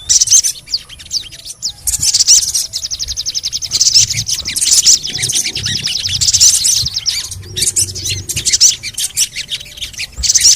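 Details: Crimson sunbird (sogon), used as playback to make reluctant birds sing, giving rapid high-pitched chirps and dry buzzy trills in bursts, with short gaps between runs of notes.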